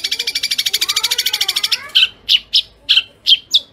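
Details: Long-tailed shrike in a fast, dense kuntilanak song linked with sparrow calls, a training recording for caged birds: a quick raspy trill of nearly two seconds, then five loud, evenly spaced sharp chirps.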